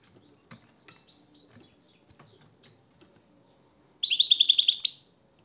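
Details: European goldfinch singing: soft, scattered high twitters for four seconds, then a loud, rapid, tinkling burst of trilled notes lasting about a second before quiet returns.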